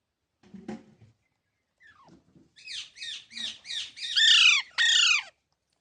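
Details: Green Indian parrot: faint low sounds at first, then a run of seven rasping, arched screeches in quick succession, each louder than the last.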